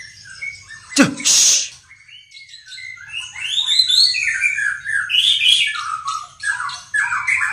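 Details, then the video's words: White-rumped shama delivering a busy, rambling string of whistled and warbled notes after a brief loud rustling burst at the start. "Burung Murai Pastol Menyusun Lagu"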